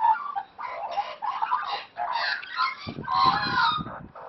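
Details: Wild, parent-raised Australian magpies at play give rich, warbling, gurgling calls in overlapping bursts of varying pitch, with soft low thumps near the end.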